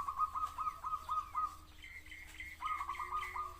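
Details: Zebra dove singing quick rolling series of clipped coos, broken by a pause. A higher, brighter bird chatters across the gap and overlaps the second series.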